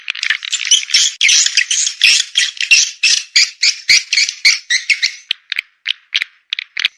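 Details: Swiftlet calls from a sound pack named Dewa Amoy Super Raja Sedot: a fast, rhythmic series of harsh, twittering chirps, about three or four per second, thinning to spaced single notes toward the end.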